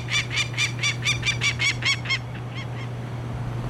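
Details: Peregrine falcon defending its nest against a man on a Hamilton, Ontario hotel rooftop during 2009 banding: a burst of about nine harsh, evenly spaced cackling notes, then fainter distant calls trailing off, with a constant low hum behind.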